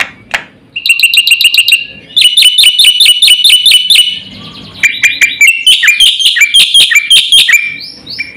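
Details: Full, fast song of a black-winged starling, meant to stir and train other birds: a fast series of bright, ringing, repeated chips, then trills and varied squeaky notes, all high-pitched and loud.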